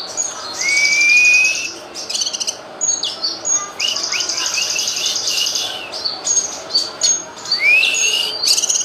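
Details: Cucak kinoy song for tutoring songbirds: repeated upslurred whistles alternating with dense high chirping trills and sharp notes, continuous for several seconds with no other clear sounds.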